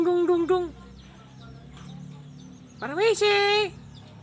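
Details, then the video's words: Mimicking starling that laughs, coughs and talks: three quick nasal laugh-like notes, a pause, then a sharp rising harsh call sliding into a drawn-out buzzy note. "Jalak MAU Ketawa dan BATUK batuk"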